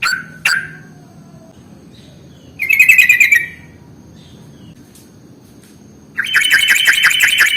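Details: Sooty-headed bulbul, played as a lure for bulbuls: a couple of sharp chirps, a dense buzzy chattering burst, then a sustained fast trill of pulsed notes running to the end.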